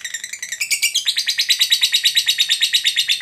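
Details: Lovebird ngekek, played to stir a lazy lovebird into song: a few high chirps rising into a long, regular, buzzy chatter of sharp notes repeated about three times per second, loud and continuous.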